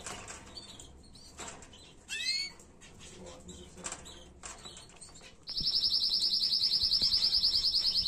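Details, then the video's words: Tutor song of a canary, recorded to teach young birds: quiet noisy stretch with a single swooping phrase, then a sudden loud rapid trill rolling on evenly. "تغريد أصلي لطائر الكناري بدون أخطاء لتعليم الفراخ Original tweet of the canary bird without errors"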